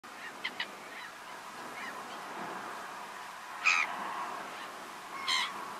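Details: Black-winged stilt of the nominate subspecies Himantopus h. himantopus, Camargue, France, in August 2019: two loud nasal, harsh yelping calls about 1.7 seconds apart, preceded by a few faint short clipped notes, over a steady hiss of background noise.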